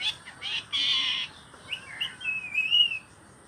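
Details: Green rose-ringed parakeet kept as a pet, just beginning to talk: harsh, bright squawky bursts followed by short rising and wavering whistled notes, high-pitched and clear over a quiet room.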